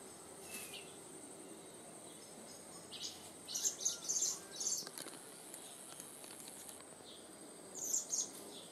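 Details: Young Eurasian blackbirds being fed with Omegas at Raumati; thin, very high squeaky notes come in a cluster of quick bursts midway, then a brief pair near the end, over a steady faint hiss.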